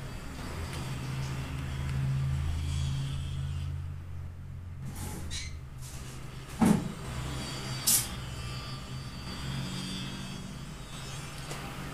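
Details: Low rumbling vehicle engine noise with two sharp knocks, and no animal sound heard.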